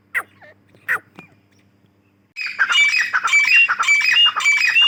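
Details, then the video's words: Female grey francolin (Dakhni teetar) calling: a few sharp, falling single notes, then after a pause a dense, harsh, squawking chatter with ringing whistled tones, repeated rapidly. "Teetar ki Awaz | Teetar ki Boli | Tetar Sound | Dakhni Teetar Awaz | Female Teetar voice"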